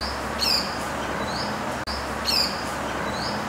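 Pied falconet giving thin, high, shrill notes: a sharp chevron-shaped squeal followed by two short rising notes, repeated once, over steady hiss.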